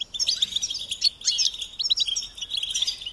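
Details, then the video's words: European goldfinch singing, recorded for a training tape for young birds: a fast, liquid stream of high chirps and twittered trills, almost continuous over a few seconds. "Encouragement to motivate and support goldfinches in songs"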